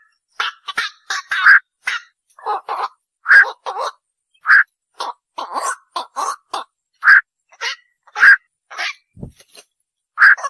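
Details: Black-crowned night heron calls: short, harsh, croaking 'quok' notes, loud and clipped, coming in quick irregular bursts and pairs across the whole stretch, with a brief low thump near the end and no other clear sounds.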